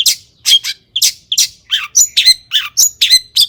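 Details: Lure song of a long-tailed shrike: about a dozen harsh, scratchy notes at roughly one per quarter second, some with short whistled overtones, clear and dry against a quiet background.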